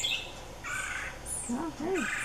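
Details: Red-bellied woodpecker (Melanerpes carolinus) fledglings give harsh, buzzy begging notes in short bursts while parents (male and female) feed them, with a thin high whistle between and a person talking softly.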